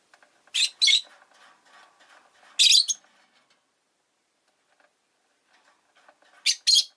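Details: Pet rosy-faced lovebirds in a cage near a window, five birds present, uttering loud paired high chirps over a soft background murmur of town noise, with a quiet gap midway.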